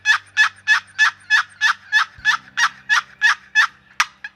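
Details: Long-bearded wild turkey toms on a spring hunt gobbling in an even, rapid run of about a dozen harsh, rattling bursts, each roughly a third of a second apart, over a faint low drone.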